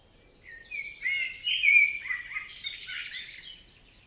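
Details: Common blackbird song from a forest in Spain, a varied phrase of warbled, slurred whistles building to a louder mid-section and finishing with a squeaky, high-pitched twitter.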